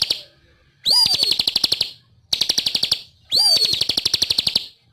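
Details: Bar-winged prinia in full song, giving short bursts of quick high chirps, two of them led by a swooping descending note, separated by near-silent gaps.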